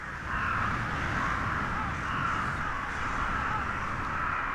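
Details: A huge wintering flock of rooks, tens of thousands from Siberia staying at Ulsan, Korea, keeps up a dense, unbroken chorus of harsh caws over a faint low rumble; calls signal the group to return to roost before sunset.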